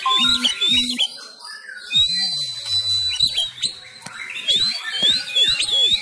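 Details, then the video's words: Kept Sumatran Oriental magpie-robin practising fighting-style song at home while competitions are closed for COVID-19: bright high whistled phrases mixed with chattering notes, alongside lower repeated sweeping tones in the background. "Gaya tarung Kacer kacer sumatra"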